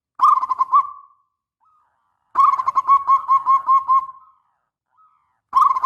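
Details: Local zebra dove singing a long-phrased tutor song meant to trigger other doves: brief coo trill, then a long even series of about nine soft rhythmic coos trailing off, and another phrase beginning.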